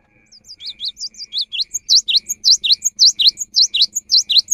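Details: Singing cinereous tit, used to lure birds in the rainy season. Begins softly with a few thin notes, then builds into a loud, steady string of clear V-shaped whistles, each with a short high tick, about two per second.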